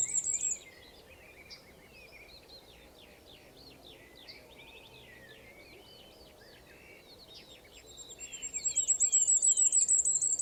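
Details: A male firecrest's very high accelerating phrase ends the recording, after a long stretch of background blackbird and skylark song from a spring wood in Portugal.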